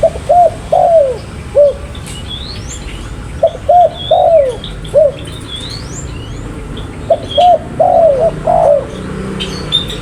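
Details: Spotted dove repeating its cooing phrase three times, roughly every three to four seconds: two short coos then a longer falling coo and a final short note, with thin sweeping chirps of other birds above.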